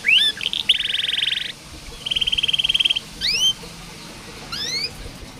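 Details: Canary song for coaching young canaries that sing little: quick rising whistles lead into a buzzy rattling trill, a second even trill, then pairs of upswept whistled notes separated by quiet gaps.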